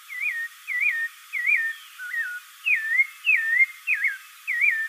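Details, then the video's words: Sabiá caraxué song, a regular run of looping whistled phrases about twice per second, one lower wavy phrase among them, clear and unaccompanied. "SABIÁ CARAXUÉ SEU CANTO Spectacled Thrush"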